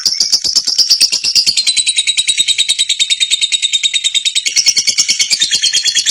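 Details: National champion contest lovebird in a long ngekek performance: unbroken, shrill chattering made of fast repeated notes, roughly three per second, holding a high, buzzy band from start to finish.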